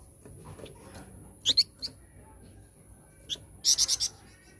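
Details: Flowerpecker (flamboyan) song used as a lure to provoke other birds to sing: a few scattered sharp, high ticks, then a short burst of four quick, very high notes near the end over faint background hiss.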